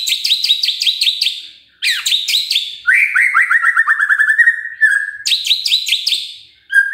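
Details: Magpie-robin song used to prompt birds to sing: bursts of rapid high repeated notes alternate with a rolling series of descending slurred whistles, each phrase separated by brief gaps.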